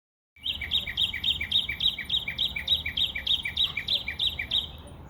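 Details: Bird chirping in a rapid, regular series of short high notes, about three per second, each sharp note paired with a lower trailing chirp, over faint low background rumble.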